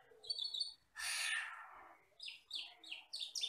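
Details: Asian glossy starling, a wild forest bird that is jet black with red eyes, singing: high whistled notes, then a harsh rushing burst, then a series of quick, bright, repeated chirping phrases.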